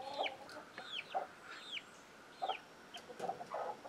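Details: Hen with young chicks: a few spaced low clucks, each paired with a high curved chick peep, separated by short quiet gaps.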